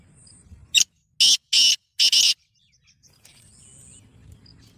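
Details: Black francolin (kala teetar) of the Gangas nasal speeder type calls a harsh, rasping phrase of four loud broadband notes within about a second and a half, the last doubled, with a faint high thin whine before and after.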